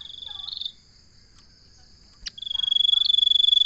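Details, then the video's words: Common iora producing long, high, rapidly pulsed trills, one fading out, then after a pause a sharp click and a second strong buzzing trill that swells and continues to the end. "Suara burung sirtu/ Suara burung Cipo/ Suara burung Cipow/ Suara burung cipoh"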